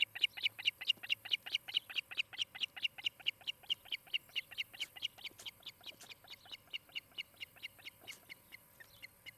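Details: At a Montana nest in Charlo, an osprey on a nest cam, late morning 23 July 2018, repeats high piping chirps about four per second, strong at first and then gradually fading and spacing out.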